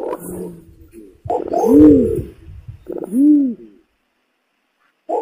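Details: Lure recording of an imperial pigeon giving deep, hollow, rounded coos, two loud booming notes roughly a second and a half apart, preceded by softer low murmurs, then quiet.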